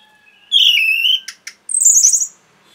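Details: Orange-headed thrush (anis merah) song used as a masteran training recording for caged birds: a thin low whistle, then a loud harmonic warbled phrase, two sharp clicks, and a bright buzzy high trill.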